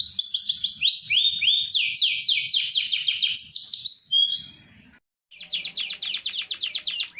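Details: Canary in full song, used as a master to prompt untrained canaries to sing: fast high rolling trills of repeated sweeping notes, brief pause, then another rapid trill.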